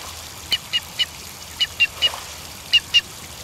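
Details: Blue duck in New Zealand, bathing and calling in what is described as an unusual call for a duck, gives nine short, high whistled notes in loose groups of two and three, with brief pauses, over faint steady hiss.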